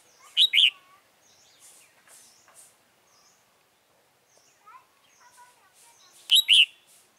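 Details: Decoy red-whiskered bulbul singing to draw in wild birds during trapping on 28 February 2017. A sharp two-note warble opens and closes the stretch, with soft chirps and twittering from other birds in the pause.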